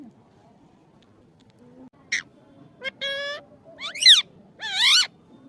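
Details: Pet parrot, locally called mithu or tota, giving a few harmonic squawks and a bright, wavering whistle-like call in short bursts over a quiet background.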